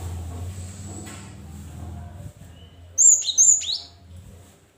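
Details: Cinereous tit song used as a lure to get reluctant caged birds to sing: after a steady low hum, two quick phrases, each a high thin whistle sliding down into a lower buzzy note.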